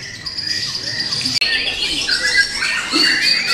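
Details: A young, wild-caught white-rumped shama kept as a caged songbird gives a rapid, varied stream of high chirps, trills and sharp whistled notes, packed closely together without a steady rhythm.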